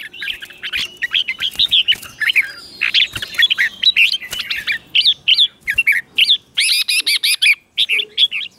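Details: Red-whiskered bulbul kept in a cage, singing the doubled style used as a model for young birds: continuous lively chirped and warbled phrases, with brief harsh buzzy bursts, over a background of other birds' chatter.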